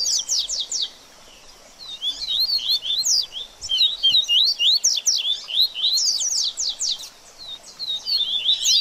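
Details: Baderninha song of the double-collared seedeater, aimed at stimulating a bird after the feather moult: after a brief silence, lively high chattering phrases of rising and falling slurred notes continue almost without break.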